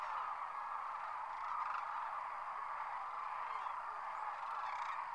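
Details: Wintering sandhill cranes, thousands at Whitewater Draw near McNeal, Arizona, rising from their roost; a thick steady chorus of overlapping crane calls, with a few clearer rattling notes toward the end.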